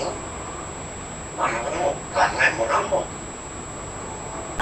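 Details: Young African grey parrot aged 14 months talking, producing a quick run of about five speech-like syllables in the middle, with faint background hiss.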